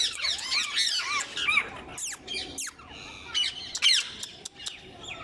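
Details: Ring-necked parrots, known locally as mitthu popat, calling in a busy mix of harsh, shrill squawks and arching screeches, several birds overlapping rather than one clear caller.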